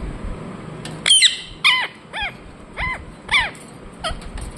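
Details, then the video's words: Indian ringneck parakeet calling with a series of sharp, downward-slurred chirps, about two per second, loud at first and then softer, with a faint hum behind. "Parrot Chirping sounds Natural Sound | Ringneck parrot Naturals Sound"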